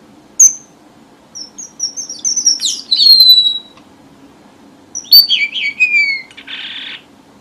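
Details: Red avadavat lure song used for trapping, southern Vietnam: a sharp high note, then a run of thin descending whistled slides, a pause, another sliding phrase, and a closing buzzy rasp. A faint low hum sits underneath.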